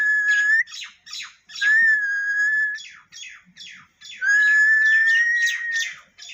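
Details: Parrot giving long, steady, clear whistles on one pitch, separated by short buzzy, chattering notes, with a final drawn-out whistle that rises slightly at its end.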